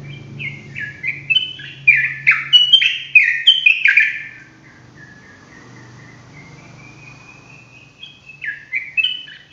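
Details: Sooty-headed bulbul singing in the fast ropelan style suited to tutoring other birds: a dense run of bright, bubbling notes for four seconds, a thin rising whistle, then another burst of chattering phrases.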